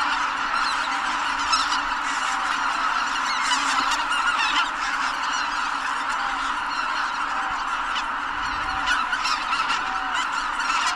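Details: Greater white-fronted geese rise en masse from Kabukuri-numa marsh before the New Year's Day sunrise of 2022, seemingly alarmed by something. Continuous dense honking chorus, with distinct nearer calls cutting through around the middle and end.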